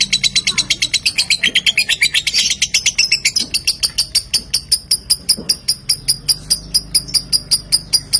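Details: Lovebird chatter used as a lure to make other lovebirds sing: quick harsh chirps that slow into evenly spaced sharp clicking notes, just under two per second.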